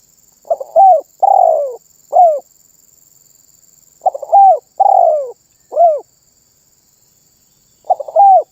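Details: Spotted dove (terkukur) singing actively, a song said to set other birds calling. Low mellow cooing phrases: a stuttered lead-in, a rising coo, a long rolling coo, then a falling coo. Two full phrases and a third starting, about four seconds apart, over a faint steady high whine.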